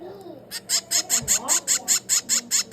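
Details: A hand-fed finch chick, 22 days old, begs with a quick, regular series of sharp, high, raspy chirps, about five per second, after a short quiet start with a faint low voice.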